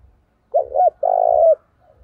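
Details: Decoy spotted dove cooing energetically to provoke a fight, in the giọng thổ voice style: two short, low, hooting coos, then a longer sustained coo that falls slightly at the end. The background is quiet apart from faint low rumbles.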